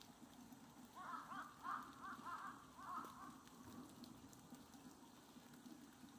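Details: On 23 March 2022, a Steller's sea eagle gives a run of four or five harsh, yapping notes over about two seconds, each a quick rough bark, against a steady hiss like rain.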